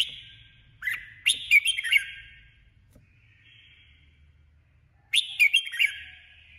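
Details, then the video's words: A caged-style decoy female red-whiskered bulbul sings two loud, rapid warbled phrases of chirpy, bright notes, several seconds apart, with a quiet murmur and low hum in between. "Chào mào hót đấu 2021| chào mào mồi 2021 | chào mào mái"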